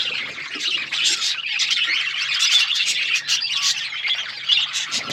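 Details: Budgerigars chattering in a steady, dense stream of harsh squawks and quick chirps from several birds at once, with a few brief louder bursts standing out.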